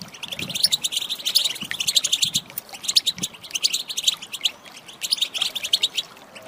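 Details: Female European goldfinch calling to stimulate male song, a lively run of high, clipped twitters and tinkles in close repeated phrases with small gaps.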